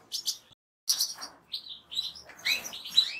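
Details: Goldfinch singing in short twittered bursts, with a brief pause followed by liquid buzzy notes and fast tinkling trills ending in a clear rising whistle.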